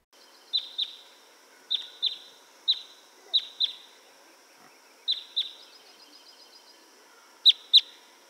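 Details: Red Crossbill, a winter bird of eastern North America, giving its jip jip call, sometimes heard as individuals fly: sharp, high notes dropping in pitch, mostly in quick pairs a few seconds apart, over faint hiss.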